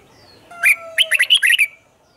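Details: Red-whiskered bulbul kept in a cage, singing the 'เบิ้ล' doubled style meant for teaching young birds: one clear lead note followed by a rapid burst of about six warbled notes.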